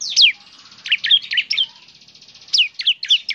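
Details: Bar-winged prinia (ciblek), semi-active singer, giving a short phrase of high, twittering down-slurred chirps over a faint buzzing trill.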